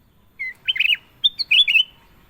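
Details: Kutilang emas (golden bulbul) singing clearly. A short whistled note leads into two bubbly, warbling phrases of quick liquid notes with rising and falling inflections. The surroundings are quiet.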